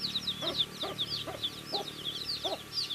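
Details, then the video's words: Cute baby chicks feeding, producing a steady chorus of thin, high, down-slurred peeps, overlapping one another, with periodic muffled lower thuds roughly every half second. "Cute Baby Chicks Chirping Sounds"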